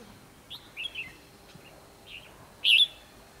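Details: Fighting song of a red-whiskered bulbul used in trapping, recorded 24 December 2015: soft chirpy warbles building to one loud, slurred whistled phrase near the end.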